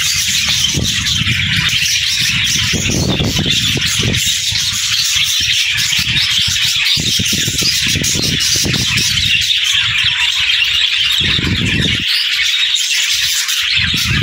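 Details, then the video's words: Morning chorus of cheerful budgies: continuous overlapping chirps and warbles from many birds, with repeated low rumbling thumps and bursts of background noise beneath the chatter. "Budgie Morning Sounds: Wake Up to the Beautiful Chirps of Happy Parakeets!"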